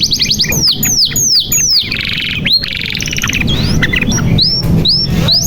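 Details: Canary singing energetically, used as a lure to prompt silent or young canaries to sing: rapid downward-sweeping whistles repeated in quick series, rolling trills and buzzy stretches, with faint low background rumble.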